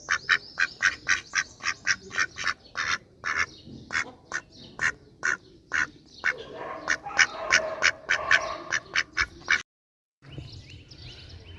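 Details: Duck giving rapid runs of loud, harsh quacks with a busier, overlapping stretch of calls in the middle, followed by a short silence and quieter background noise.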